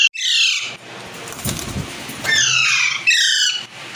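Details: Aviary budgerigars playing and eating give a loud harsh chirp at the start, then after a quieter stretch a run of descending squawky notes in close succession.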